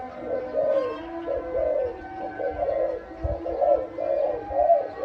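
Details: Rhythmic cooing from a loud-voiced dove being sold: mellow, slightly descending hoots follow one another about once a second, with a faint steady hum underneath.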